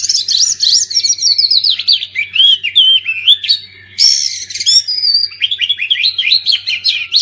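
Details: Loud, restless oriental magpie-robin song meant to get silent birds singing again: rapid strings of upslurred whistles and warbling slurs, a short gap, then a harsh burst and more quick rising chirps.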